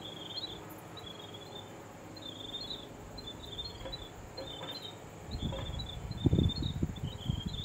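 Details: Grey Warblers in New Zealand giving warning calls while surrounding a New Zealand falcon (kārearea) that is plucking a caught common sparrow in a beech tree: faint high thin trilled notes in short repeated bursts, with rustling and low rumbling noise near the end.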